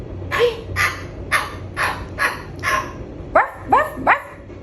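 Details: Pet cockatoo barking like a dog: a run of eight short, hoarse bark-like "ruff" calls, about three a second; the last few rise sharply in pitch.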